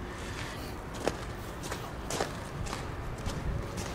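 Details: Soft footsteps and shuffling over a hissy background, with no animal calls.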